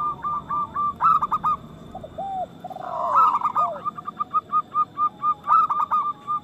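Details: Several local zebra doves, lively singers with a big voice, used to stimulate other doves into song and breeding; rapid staccato cooing runs with lower drawn-out slurred notes between them, the bursts overlapping.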